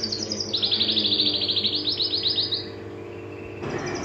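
A canary sings a fast, high trill of rapid repeated notes for about two seconds, then falls quiet. Faint steady tones hum underneath.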